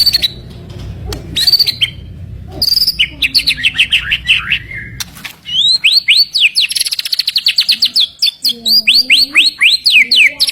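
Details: White-rumped shama (murai batu), a fighter songbird prized for its 'tembakan' shooting bursts: varied whistles and clicks building into long rapid trains of loud arched notes several per second, with a soft lower warble behind.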